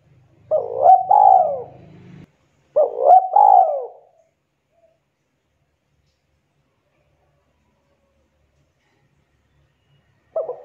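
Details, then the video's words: Spotted dove calling its companions with two repeated cooing phrases about two seconds apart, each a husky rising coo followed by a falling drawn-out note. A low hum runs under the first phrase, then silence, and a third phrase begins at the end. "Suara Burung Tekukur Memanggil Temannya"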